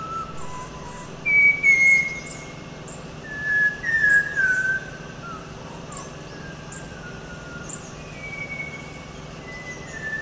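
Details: Malabar whistling thrush, known as whistling schoolboy, at Panchgani-Mahabaleshwar in the Western Ghats, Maharashtra: loud, clear, human-like whistled phrases sliding between pitches, two main bursts then fainter whistles, over a steady background hum.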